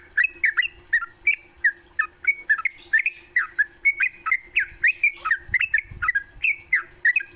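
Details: Morning Sooty-headed bulbul song used to train songbirds: lively chattering string of bubbly, falling and rising whistled notes delivered almost without pause, with a constant high-pitched tone and faint low hum behind.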